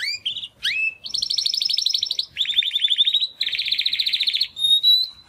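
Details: Timbrado canary song from a young male bred in 2020, first attempts after first molt: rapid trilled rolls of notes at different pitches, a rising sweep, ending on a thin sustained whistle.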